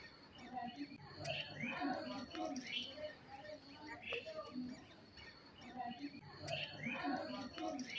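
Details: Black-hooded oriole (Oriolus xanthornus) pair with chicks giving short, overlapping chirps and harsher notes, repeated irregularly almost twice a second, over faint murmuring and rural background noise.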